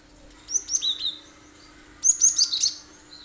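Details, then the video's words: Cinereous tit in full sharp 'tembakan' song, used as lure material: two quick phrases, first three high notes stepping downward, then after a pause a denser cluster of four to five piercing notes, with a faint hum underneath. "Full tembakan tajam bagus buat pancingan burung lain"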